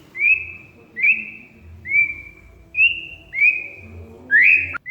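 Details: Oriental magpie-robin (kacer) audio used as a lure for a silent bird: six drawn-out whistled notes, each with a sharp upswept start, spaced roughly every second.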